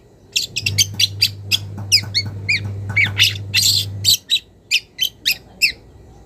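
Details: Young wild long-tailed shrike calling a rival, a run of harsh, scratchy, rasping notes and short sharp chirps delivered in quick bursts, with a low steady hum underneath for the first few seconds.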